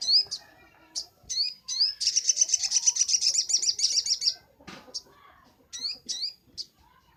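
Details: Crimson sunbird (sogok ontong) singing energetically, a master recording for training birds: thin downward-sweeping whistles, then a long fast high trill of roughly four notes a second-beat, followed by more scattered sweeping notes.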